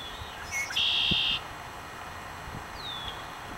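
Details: Red-winged blackbird song in early morning on 20 March, the first day of spring: a brief clipped note, then a harsh buzzy trill lasting about half a second, followed later by a thin descending whistle, against quiet outdoor background.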